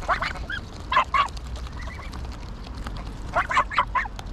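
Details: Greylag geese calling at Pearson Park, Hull, England, on 22 August 2021, GoPro Hero9: clusters of rasping honks at the start, middle and end, with softer calls between and faint background hum.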